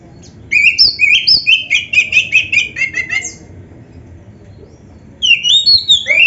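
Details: Gacor oriental magpie-robin song with rich fills: a rapid stuttering series of about a dozen bright chirps and slurred whistles, a quiet gap of over a second, then a new phrase of rising and falling whistles.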